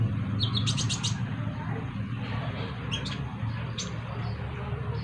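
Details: Sunbird calling while a second sunbird answers: short groups of sharp, very high chirps repeated in quick runs, separated by pauses, over a constant low droning background.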